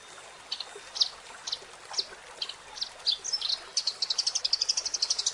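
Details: Eurasian tree sparrow chirping: separate high, sharp chirps every half second or so, then a fast run of rapid, evenly repeated chirps near the end, over a hissing background.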